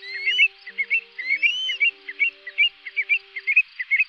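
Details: Greater sand plover call used as a lure for night net trapping during migration in August 2024: short, rolling trilled chirps about three to four per second, with rising thin whistles and a steady electronic hum behind.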